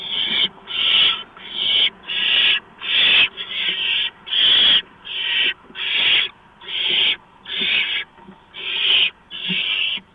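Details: Barn owl at its nest before dawn, 4:26 AM, 6 March 2015, as prey (a mouse) is delivered: a steady run of about twelve raspy, hissing screeches, each roughly half a second long, spaced under a second apart.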